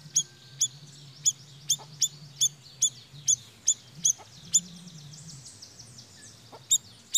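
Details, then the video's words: Siri-siri bird played as a lure to attract birds: a series of thin, high, clipped chirps at an uneven pace of roughly two per second, pausing near the end before a final note, over a steady low hum. "Suara Pikat BURUNG SIRI SIRI GACORR"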